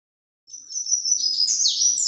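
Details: Ultramarine grosbeak (azulão) singing the Paraná vinte vinte song style, recorded live: after half a second of silence, a high warbled phrase of sliding whistles that grows louder toward the end.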